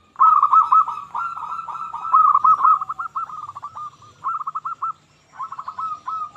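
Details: Local zebra dove song played to prompt silent zebra doves into singing: a loud rolling coo phrase, then shorter clipped bursts of rapid rhythmic notes separated by brief silences.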